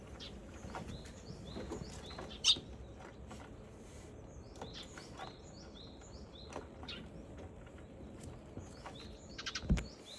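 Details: Wild sparrow filmed in slow motion on 17 April, giving scattered short, sharp chirps in loose series, with a low rumble of passing traffic and a few louder knocks.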